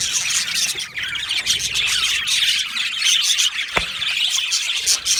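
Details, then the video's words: Australian budgies in a colony aviary keep up a steady chorus of high chirps and warbles, briefly interrupted by one sharp click or knock partway through. "Australian Budgie chirping sounds"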